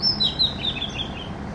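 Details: Oriental magpie-robin of South and Southeast Asia, a black-and-white bird that raises its long tail when hopping or perching, sings a quick run of high, sweet whistled notes and chirps, several short phrases in under two seconds, over a soft low hum.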